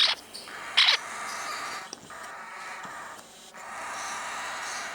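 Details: A young mauve lineolated parakeet, a tame pet still growing in its feathers and eating well, gives two short, bright, high chirps close together near the start, over a steady indoor hiss.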